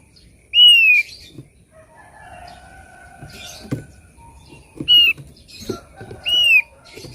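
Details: Thick-billed white-eye lure song: three separate loud, downslurred whistles spaced a few seconds apart, with background knocks and a faint low hum between them.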